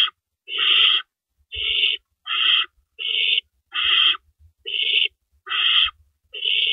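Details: Owl at the nest at night, early morning of April 4, 2012, as adults bring in and carry off rabbits; loud harsh hissing screeches about half a second long, repeated roughly once per second, with faint thumps between.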